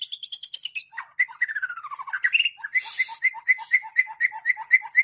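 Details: White-rumped shama song used as a training recording for other birds: high quick notes, a long descending slurred phrase, a brief harsh burst, then a steady series of paired two-pitched whistles repeated about four times a second.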